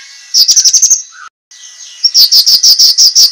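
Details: Sharp cucak kinoi master song for competition training: a quick run of high chirps, a short silence, then a slower string of clear, loud high notes.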